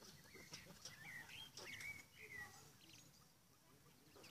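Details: Captive male common quails in an aviary, where one big, strong, confident male crows repeatedly, give short, sharp whistled notes in a quick burst over a rustling, noisy background.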